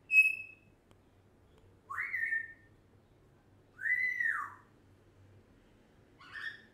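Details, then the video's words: One-year-old pet African grey parrot, said to talk non-stop, indoors: a short high steady whistle, then three slurred whistles that rise and fall, spaced about two seconds apart, in a quiet room. "African Grey Parrot talks non stop"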